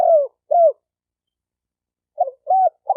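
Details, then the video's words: Low coos of a spotted dove, played to stir up decoy birds of both sexes: two soft, falling notes, a pause, then a stuttered note and a rounded coo, with nothing else audible. "Tiếng chim cu gáy kích bổi kích trống kích mái"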